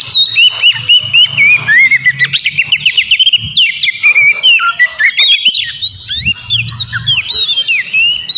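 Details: Energetic kacer song used as a lure to make an opposing bird respond: a steady stream of rapid whistled notes and scratchy chatters several times a second, with a low hum in the background at times.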